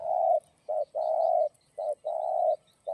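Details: Spotted dove in the 'giọng đồng' voice, 'gáy thúc gù' style, used to stimulate and lure other doves. Low, hollow coos alternate short and long notes, a brief coo then a drawn-out one, repeated steadily. Faint high chirps sound in the background.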